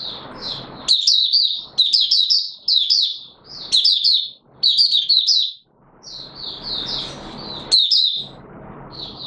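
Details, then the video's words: White-eye kept as a songbird, singing while not yet in full condition on 9 May 2022; bursts of fast, high warbled twittering separated by short pauses, with faint hiss between bursts. "Mata Puteh Raja V1 buka sing not full condition yet"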